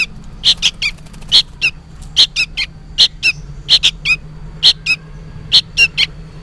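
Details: Noisy juvenile sooty-headed bulbul seemingly calling to its parent: a steady run of sharp, scratchy double chirps, roughly two per second, against a soft low drone.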